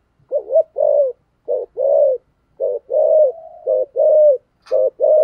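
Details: Spotted dove used as a decoy bird to lure wild doves, in a rustic Vietnamese style of cooing and calling; a series of short low hooted coos with a rhythmic, repeated pattern and one longer drawn-out note.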